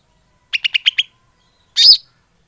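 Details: Greater green leafbird lure call used to attract birds: five quick, high chirps in a tight burst, a pause, then one longer, harsher, descending note.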